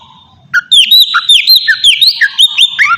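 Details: Oriental magpie-robin lure song: after a brief quiet start, a fast series of bright whistled notes and sharp downward slurs, repeated several times a second, meant to make other birds respond.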